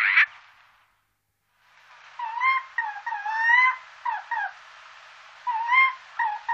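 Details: Eurasian jay by day: one short harsh rasping burst, a second of silence, then a run of brief nasal, overtone-rich notes, some rising or wavering, given singly and in quick pairs.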